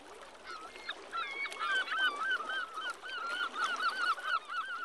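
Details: Great northern diver at Brixham on 2 January 2014, giving a long, wavering, quavering call that rises and falls about four times a second over a faint background hiss.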